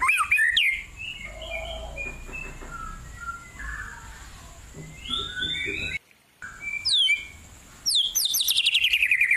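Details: White-rumped shama in a cool forest delivering varied song: ringing high notes at the start, quieter meandering warbles, a short pause, then bright rapid high-pitched trills at the end.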